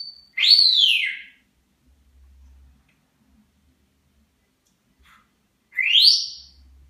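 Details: Casper, a pet African grey parrot (Psittacus erithacus), gives two loud, clear whistles about five seconds apart, the first rising then sliding down, the second sweeping upward; faint low hum between.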